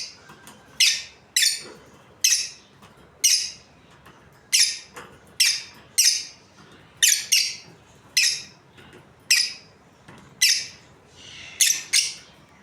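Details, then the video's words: Continuous series of sharp, falling chirps from an Australian lovebird breeding pair, roughly one every second, some in quick pairs, over a quiet indoor background. "Australian Lovebirds Chirping Sounds"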